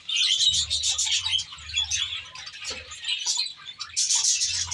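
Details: Budgerigars kept in a large aviary, a whole flock chattering at once: dense, scratchy high twittering and warbling, with brief pauses, over a faint low hum.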